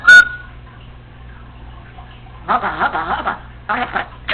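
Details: Pet female Congo African Grey Parrot alone indoors: one short piercing whistle, a long pause, then low mumbled speech-like chatter in two bursts.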